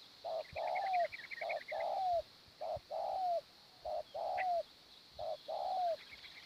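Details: Low mellow coos of a spotted dove during morning decoy luring: four clear phrases, each a brief note followed by a longer note sliding downward. Small birds twitter faintly, and an even high insect hiss persists.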